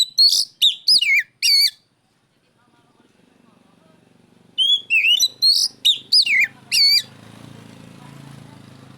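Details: Oriental magpie-robin calling out a rival with loud ringing whistles. Two quick bursts of descending, hooked notes are separated by a pause. A low rumbling background noise rises toward the end.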